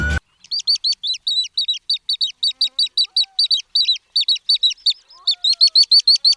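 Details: Little stint (Calidris minuta), a migrant wader in Sri Lanka, gives a fast, steady run of thin, high 'tit' notes, several each second, with faint low whistles from another bird in the background.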